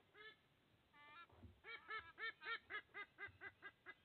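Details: At an Australian nest on 30 August 2024, a sea eagle father delivers food to two eaglets; loud honking, goose-like notes, first two separated, then a rapid run of about ten rhythmic calls, roughly two per second.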